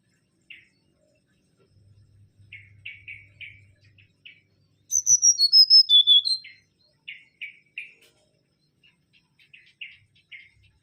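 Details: Mangrove whistler, a captive songbird, singing a lively, loud song: soft chattering notes repeated, then a burst of clear, high whistles stepping downward, followed by more quick chirps.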